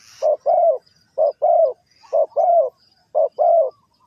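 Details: Spotted dove from Ninh Thuận, trap-related, giving four evenly spaced pairs of soft low coos, a short note followed by a fuller, longer one, roughly once a second, with a faint rustle at the start.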